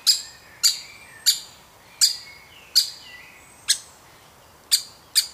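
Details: Woodpecker chick from a wild family being fed at the nest: eight piercing, high, clipped notes in five seconds, each ending in a brief ringing decay, with faint thin whistles between them.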